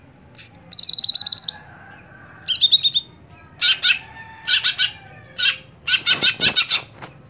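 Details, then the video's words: High whistled notes from a caged greater green leafbird (cucak hijau), a contest bird that has stopped performing, give way to a rapid stutter of ringing notes, then clusters of harsh, raspy bursts. "Ketika Cucak Hijau Sudah Tidak Jalan Gantangan"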